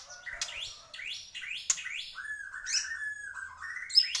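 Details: A Bornean white-rumped shama sings hard, giving a series of repeated upswept whistles about every half second, followed by a long, level, slightly wavering whistled note and a sharp high ending.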